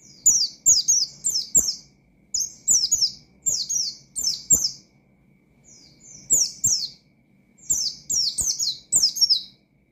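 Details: Pleci (Oriental white-eye) belting out ngalas-style song meant to rile up rival birds. Repeated groups of rapid, high, slurred-down chirps alternate with short breaks, and one quieter softer phrase falls midway.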